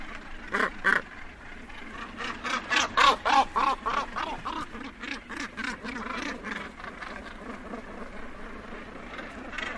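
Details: Northern gannets at the edge of a colony give close harsh, grating barks and flight calls in quick bursts, about three a second, as birds land and take off, over a low rumble of other birds.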